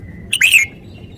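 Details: Red-whiskered bulbul delivering one rich, bubbling whistled phrase lasting about a third of a second, preceded by a faint steady thin tone.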